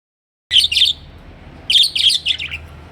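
A budgerigar gives bright, scratchy chirps in two quick bursts.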